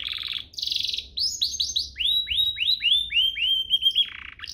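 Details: Canary singing to tutor young birds and prompt song: buzzy rattles, then a fast series of rising swooping whistles, about four a second, ending in a brief buzz.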